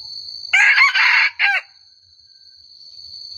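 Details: Junglefowl crowing in the forest near a lure trap: one loud, hoarse, three-part crow lasting about a second, with a long rough middle section, over a continuous high, steady insect drone.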